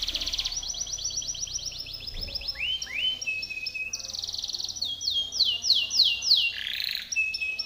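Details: Timbrado canary training song: series of repeated falling notes, rising whistled glides, flat sustained tones and rolling trills, varied and continuous.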